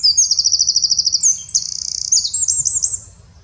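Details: Eurasian wren from the Eifel, Germany, singing energetically: a fast, regular trill of high notes, a brief rapid buzz, then looping twittered phrases that fade out.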